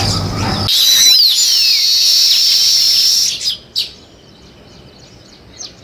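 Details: Nest-building weaver birds giving a burst of shrill, overlapping chirps and slurred whistles for about three seconds. It stops abruptly, leaving a few isolated faint chirps over quiet background.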